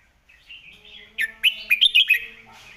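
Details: Red-whiskered bulbul master song for teaching birds: a soft wavering whistle opens, then six crisp, emphatic whistled notes follow in rapid succession, each swooping up and down, with a faint hiss after the phrase.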